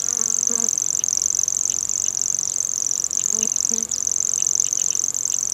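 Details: Common grasshopper warbler (Locustella naevia) song at dusk over a dry field or meadow: a high, dry, unbroken insect-like reeling trill that runs steadily without pause, with faint low tones in the background.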